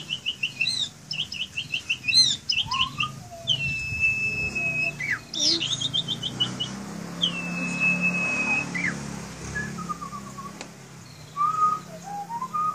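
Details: A caged Asian pied starling sings a varied medley of sharp chirps, chattering notes and long, level whistles, with a low steady hum underneath.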